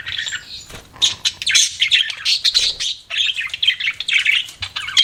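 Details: Pet budgerigars chirp in quick, bright twittering phrases mixed with scratchier squawks, the chatter pausing briefly twice.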